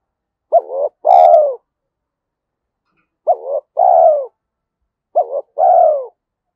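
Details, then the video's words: 'Giọng thổ' (Thúc Đấu) spotted dove, a decoy for forest trapping, giving three identical two-part phrases about two seconds apart, each a short quavering note followed by a fuller falling coo; otherwise quiet. "cu gáy giọng thổ Thúc Đấu giọng hợp rừng khi đi gài"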